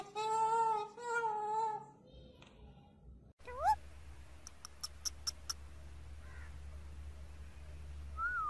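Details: Parrot making a pair of steady, nasal harmonic calls, then a quick rising squeak, a row of sharp clicks and one last upward whistle over a low background hum.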